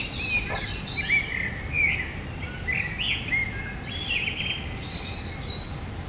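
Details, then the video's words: A song thrush caught by a woodland trail camera in autumn 2023 gives a string of short, thin chirps and quick sliding notes at fairly high pitch, over a steady hiss of background noise. "tordo bottaccio"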